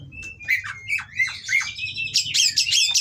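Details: Oriental magpie-robin of the kacer kawin variety, singing rough, varied material meant to provoke rivals: sliding whistles dipping and rising, then a burst of harsh, buzzy rapid notes near the end, with a low hum underneath.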